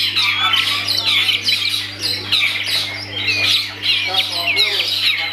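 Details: Privately kept long-tailed shrike pouring out phrases of bright whistled sweeps and scratchy chatter, coming in surges about every second, over a steady low hum.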